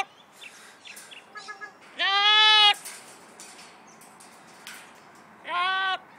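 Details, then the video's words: Pet Amazon parrot that sings mimicked songs such as Happy Birthday and Old MacDonald and laughs like a kookaburra. Here it gives two drawn-out, strongly harmonic, wailing notes, with soft chatter and clicks between them. "The Amazon Parrot Singing"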